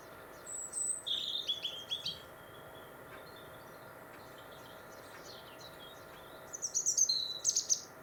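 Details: European robin in a Warwickshire winter, England: two separate phrases of high, thin, jumbled twittering notes, one at the start and one near the end, separated by a quiet gap with soft background hiss.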